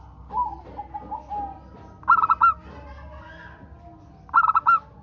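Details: Local zebra dove singing to prompt other doves to sing. A soft series of low ticking coos, then two loud, quick stuttered bursts about two seconds apart.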